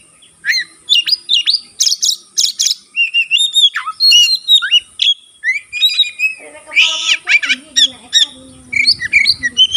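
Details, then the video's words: White-rumped shama singing vigorously with open tail, a song claimed to trigger other shamas: bright whistled phrases, buzzy bursts and a falling slur, then a harsher rasping passage with low background noise. "burung kacer gacor buka ekor sekali bunyi langsung bisa merangsang kacerlain gacor"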